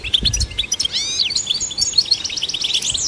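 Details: Goldfinch song used to stimulate goldfinches: rapid chattering notes mixed with a few drawn-out upward and downward slurred whistles, then more jingling twitter.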